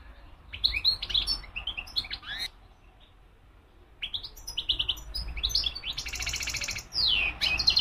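European goldfinch singing bright, rapid tinkling twitters, a brief pause, then a dry buzzy trill and a quick falling slur; faint low hum beneath.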